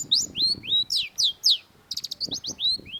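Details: Vigorous long-tailed shrike (cendet) song. Loud, downward-slurred whistled notes repeat about four times a second, then switch to quick clusters of sharp, high chips and whistles. Soft low background noise is present.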